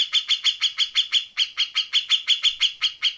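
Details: Grey-cheeked bulbul tutor song in the fast, rough 'besetan kasar' style for competition birds: an unbroken run of harsh, buzzy chattering notes, about five each second, steady and clean with no other sounds.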